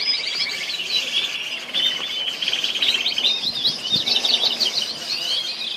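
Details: Orange canaries, several birds, at Al Abdali, Kuwait, singing together: a dense, continuous stream of fast chattering trills and high twittering rolls that overlap without pause, with a brief low knock partway through.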